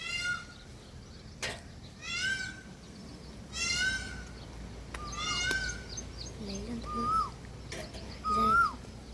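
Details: Indian peafowl calling repeatedly, loud drawn-out harmonic wails, each about half a second long, given roughly every second or two across the stretch, with faint lower calls and some rural background noise.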